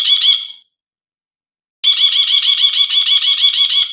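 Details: A bulbul on a lure recording for a bird that will not sing: a short chattering burst, a pause of about a second, then a long loud train of evenly repeated harsh notes.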